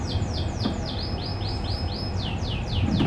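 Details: Canary from a private breeding farm singing in the morning: rapid repeated downward-sweeping whistled notes, then a steady run of level whistles and more falling sweeps, over a low background rumble.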